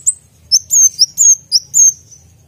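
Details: Brown-throated sunbird, kept as a songbird, singing sharp high whistled notes, each a quick rising-then-falling slur, given in short bursts about half a second apart.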